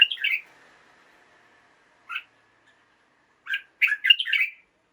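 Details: Morning song of a caged red-whiskered bulbul, meant to stimulate other caged birds: an opening warble, a lone chirp, then a lively burst of jumbled whistled notes.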